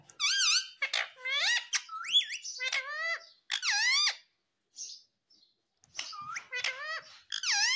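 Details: Parrot speaking the words "mummy" and "papa": bursts of bright, bending harmonic syllables in several groups, some rising sharply, separated by short silences.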